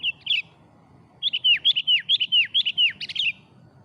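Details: Sooty-headed bulbul singing vigorously in the afternoon, a lure recording: a short burst, then a run of about eight bright, clear notes, each sliding sharply downward, delivered quickly with no other sounds.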